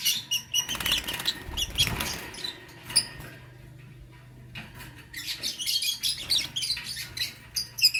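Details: Morning chirping of pet lovebirds, a lutino and a blue opaline: quick, sharp high squeaks in clustered bursts, a near-silent pause midway, then the busy chattering chirps resume, with a steady low hum beneath.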